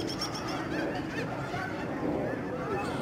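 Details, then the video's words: Huge flocks of lesser snow geese fly and swirl down to their winter grounds in estuary wetlands at George C. Reifel Migratory Bird Sanctuary, Delta, BC, Canada, on 24 March 2011. It is a dense, constant clamor of overlapping nasal, yelping honks. "Snow geese flying and honking"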